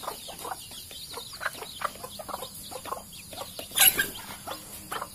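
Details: Sumatran junglefowl in captivity near its feeding and drinking dishes, giving a string of brief clucks at an uneven pace, over constant high twittering from small birds and one louder sharp burst near the end.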